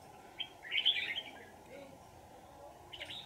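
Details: Red-whiskered bulbul caught in a trap and later set free; one brief warbled burst of bright chirpy notes lasting about half a second, then faint quieter notes over a steady background hum.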